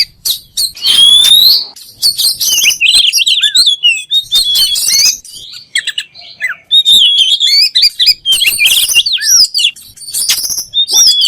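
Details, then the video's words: Kacer, the oriental magpie-robin, singing a rich, rapid medley of high slurred whistles, trills and clipped chips, with a long rising-falling whistle early on and steady bursts throughout. "THE KACER BIRD IMMEDIATELY WORKS AFTER HEARING THIS VOICE"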